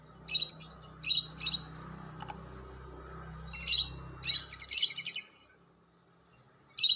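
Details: Lure recording of lovebird long chatter (ngekek panjang): clusters of sharp, scratchy, high squeaks and trilled bursts come in quick succession over a low rumbling background hum, then a pause before one more burst.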